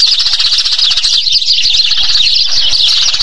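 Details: Flock of Eurasian tree sparrows (Passer montanus), common throughout Thailand, calling at once in a dense, continuous chatter of short, bright chirps.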